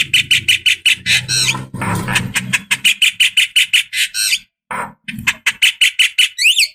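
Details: Javan myna female calling a male as a lure: rapid repeated harsh chattering notes, about three per second, with a low background hum early on and a few rising whistles at the end.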